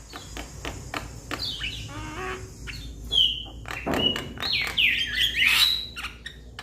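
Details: Calling to its companions, a young Javan myna gives clicking ticks and a downward squeal, then clear level whistles, a rough rasp and a burst of squeaky, warbling chatter.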